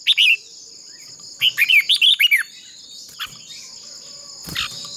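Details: A short whistled note opens the clip, then a one-second rippling phrase of five or six bright slurred whistles. The bird is a red-whiskered bulbul decoy singing in contest style to train other birds' voices, over a constant high hum and some faint clicks.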